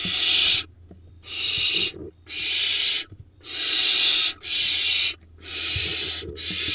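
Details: Barn owl nest box camera, Hula Valley, Israel, 30 June 2021; the late-laying pair's four remaining nestlings as the mother arrives with food then flees from a pigeon. Harsh, breathy hisses in bursts under a second long, roughly one per second.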